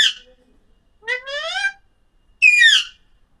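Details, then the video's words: Alexandrine parakeet gives two loud, harsh, rising calls about a second apart, rich and nasal, after a brief opening squawk. "Amazing Parrot Chirping Sounds Alexander parrot talking video"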